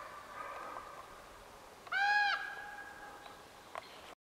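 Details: Juvenile Common Ravens on July 5, 2014, along FR 1012 near Cold Springs campground: a single loud, nasal, richly harmonic call lasting about half a second, steady in pitch, with fainter drawn-out tones before and after.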